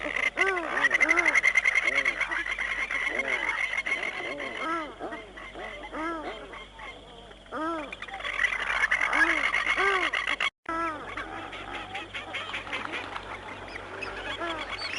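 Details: Australian shelduck (Tadorna tadornoides), also called mountain duck, at a wetland: several birds give loud, nasal, arching honks in rapid overlapping series, with a faint voice and music in the background.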